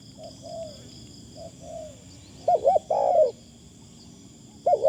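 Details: Faint far-off coos lead into a loud nearby reply from a decoy spotted dove, a double-arched note followed by a long rolling coo; a thin continuous insect whine runs throughout.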